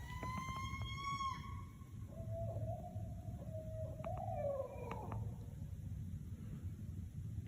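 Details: Barred owl (Strix varia) call heard while camping, at first mistaken for a porcupine: a rich, harmonic wail that drops into a lower, wavering, descending moan over a few seconds, against steady low rumbling background noise.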